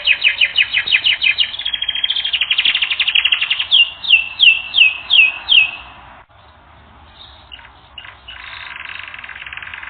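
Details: Canary song on a training recording: fast trills, then loud down-swept whistles repeated about twice a second, a brief pause, and softer scattered chirps and buzzes.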